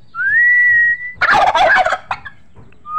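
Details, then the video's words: A turkey gives a long, steady whistled note, then a loud, rough, rattling gobble lasting about a second, followed by a short tail and the start of another whistle. "Turkeys gobble gobble gobble"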